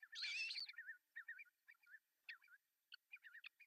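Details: Ospreys at a Finnish nest in Pohjois Satakunta, June 10, 2024, while the male delivers a large fish for breakfast. A loud harsh burst opens, then a rapid string of short high, wavering chirps, many per second, with brief gaps.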